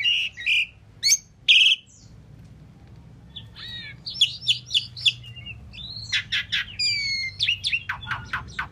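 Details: Asian pied starling song: scattered bright chirps, a short pause, then a busy stretch of whistled, rising and falling notes and sharp clicks, growing denser toward the end.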